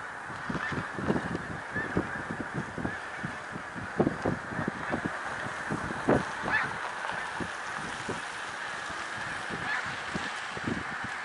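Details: Massed snow geese at Middle Creek Wildlife Refuge, Pennsylvania, recorded 1 March 2021: a steady wall of nasal honking from many birds, with frequent sharper individual calls standing out above the din.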